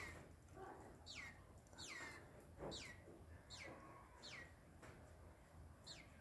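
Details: Green-winged saltator, possibly subdued or cowed, giving short sharp downslurred whistled notes that drop steeply, repeated roughly every 0.7 seconds, over a faint low background hum.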